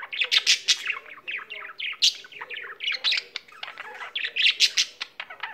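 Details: A pet budgie chattering nonstop, mixing buzzy chirps, squeaky whistles and dry clicks into a continuous, rapid high warble with several loud sharp notes.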